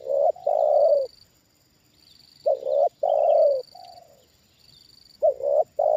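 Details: Trained Spotted dove responding to a wild bird lowered a second time: three phrases of cooing, each a quick stuttered double note and a long rolling coo, about every two and a half seconds, over a high steady whine.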